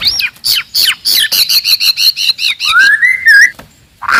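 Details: Aggressive, loud song of a forest white-rumped shama meant to provoke rival birds: a rapid series of repeated bright notes at an even pace, then a long, clear rising whistle.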